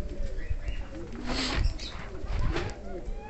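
King pigeons give low, soft, throaty coos against a rough background of rustling and murmuring, possibly faint voices.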